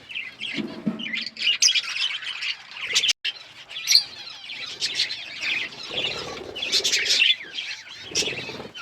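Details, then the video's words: Pet budgies twittering: quick high chirps and chattery warbles with a few lower soft notes, broken by a sudden brief silence near the middle. "Birds chirping sounds Beautiful parrots sounds"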